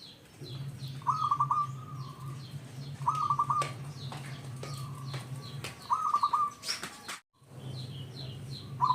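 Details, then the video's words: Zebra dove, a local strain, used as a lure to make other zebra doves sing: short bubbling coo phrases repeated every two seconds or so, with high chirping birds, a constant low hum and a brief clatter near the end. "Perkutut lokal gacor sekali dengar semua ikut bunyi"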